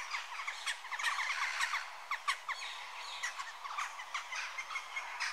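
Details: Western jackdaws calling: a busy chorus of short, sharp clipped notes overlapping in quick irregular bursts, some louder calls standing out every half second or so, with no other clear sounds.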